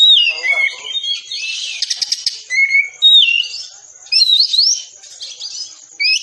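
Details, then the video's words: Oriental magpie-robin training song in tembakan rapat style for caged birds: mixed whistled slurs, a rasping trilled burst and quick rising notes, over a steady thin high tone. "Masteran Kacer Tembakan Rapat"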